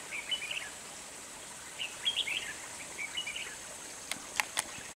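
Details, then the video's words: Red-whiskered bulbul used as a decoy during trapping at Kim Bôi, Hòa Bình, Vietnam, on 14 December 2020. Short warbled phrases rise and fall, given in three bursts over steady background hiss, with a few sharp clicks near the end. "Bẫy chào mào Cánh bướm ra giọng như máy"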